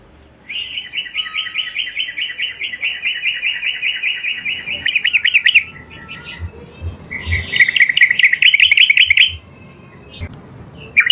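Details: Yellow-vented bulbul singing in a training recording for other birds: a long, fast, bubbly trill of mid-pitched chattering notes, a short pause, then a second rolling burst, with faint low thumps behind.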